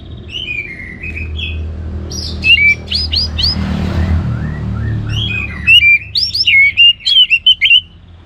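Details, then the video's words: Orange-headed thrush in lively full song, used to stimulate other birds to sing: bright whistled phrases with quick upslurs and trills, in bursts separated by short pauses, over a low steady background hum. "ANIS MERAH Gacor Untuk Memancing Burung Jadi NGeplong Bahkan Teler"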